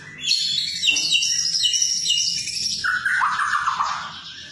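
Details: A white-rumped shama, described as singing actively, gives a continuous high, buzzy twittering phrase, then a lower rich warble near the end, over a faint low hum.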